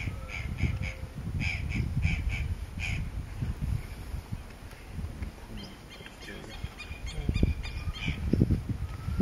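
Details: A Pale-legged Hornero (Furnarius leucopus assimilis) at Pouso Alegre, Pantanal, Brazil, dated 22.9.13, gives loud, harsh, rapidly repeated notes in two bursts, over a steady low rumble of wind and handling noise.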